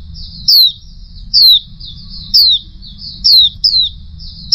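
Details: A female Oriental white-eye gives thin, high, downslurred tseep notes, about one a second, over a faint low hum.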